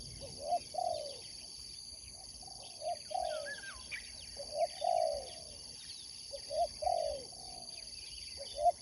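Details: Spotted dove, a sport competition bird, repeating its cooing phrase about three times, each with short hooked notes and a falling drawn coo, at moderate volume; a twisting whistle and chirps of other birds with a steady hum.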